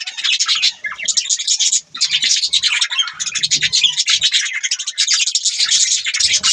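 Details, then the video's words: Budgies in a continuous scratchy, buzzy warble of high chirps and clicks, almost unbroken for over six seconds, with only brief dips after one and two seconds. "Budgies Birds talking sound | Birds chirping sound"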